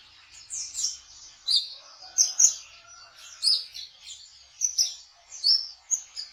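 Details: Trotol song of the kolibri ninja sunbird, played to lure young birds: high, sharp squeaky phrases repeated roughly every half second to second, with brief quiet gaps between.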